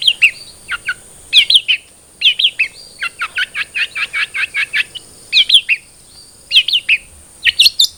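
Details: Captive long-tailed shrike (cendet trotol) song meant to trigger singing in another bird: varied chattering phrases of sharp rising and falling chirps, a steady rapid run of clipped notes midway, over a faint constant high tone.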